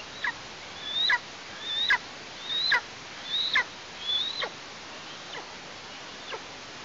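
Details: Eastern imperial eagle chick calling from the nest in Tatarstan in mid-August while parents bring prey; thin whistled notes rising and then dropping sharply, about five in quick succession before trailing into fainter calls.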